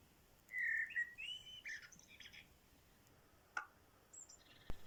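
A common blackbird sings one phrase: low, mellow fluted whistles, then a thin, squeaky twitter at the end. A faint click and a quiet room hush follow.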